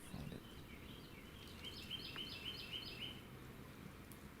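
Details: A Black-throated Green Warbler, bathing in the Texas Hill Country in mid-April, sings a quick, parabolic run of about five buzzy, high notes under two seconds, over a steady low rumble.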